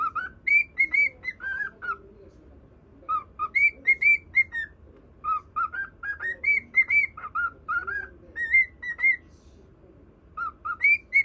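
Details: Pet cockatiel singing to a budgerigar; a long run of clear whistled notes alternating higher and lower pitches in a bouncy melody, with short pauses between phrases.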